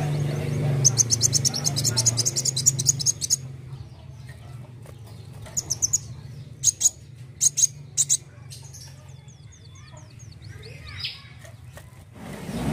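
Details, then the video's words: A sunbird, recorded as a lure sound for songbirds, sings very high, thin, rapid trills in short bursts, with sharp ticking notes between them, over a low steady hum. "KOLIBRI WULUNG GACOR NEMBAK NEMBAK"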